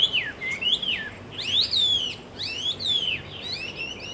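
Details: Taiwan hwamei recorded on 10 October 2013 at Caonanpo: loud, clear, varied whistled phrases, each sliding and swooping in rich arcs, delivered in bursts about a second long with short pauses between.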